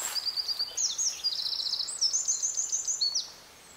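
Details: Eurasian wren song in Berezinsky Biosphere Reserve, Belarus: a loud, high, hurried burst of sharp notes and fast rattling trills lasting about three seconds, over faint background hiss.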